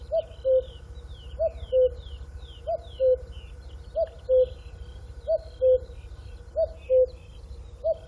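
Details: A cuckoo calls in falling two-note phrases, high then low, repeated regularly about once every 1.3 seconds over quiet chirps from other small birds and a constant low hum.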